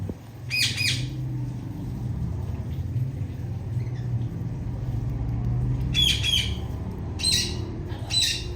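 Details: Loud chirping of a female Indian ringneck parakeet: a few short harsh bursts near the start and again after six seconds, over steady low background hum.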